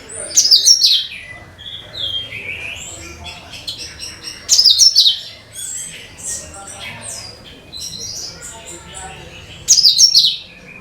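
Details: Cucak kinoi song used as a lure for all kinds of birds: loud, bright chattering bursts of high twittering notes recurring about every four to five seconds, with softer whistled phrases between them.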